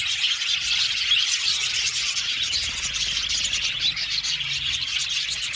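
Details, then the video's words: Aviary flock of budgerigars, around seventy pairs, producing an unbroken high twittering din of overlapping chirps and warbles at an even loudness. "Beautiful Budgies chirping sound"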